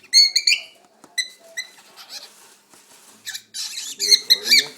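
A cockatiel gives a string of odd, high, harsh chirps and squawks.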